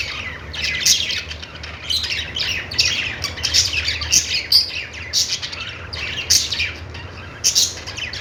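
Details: Parakeet chirping: many quick, high, slightly harsh twitters interleaved with louder sharp calls every second or so, forming an unbroken chatter over a low hum.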